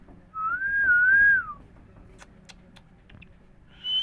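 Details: Indian parrots talking, repeating 'Mithu Miya Mithu': one long, gently wavering whistle that falls at its end, soft clicks, then the start of a high level whistle.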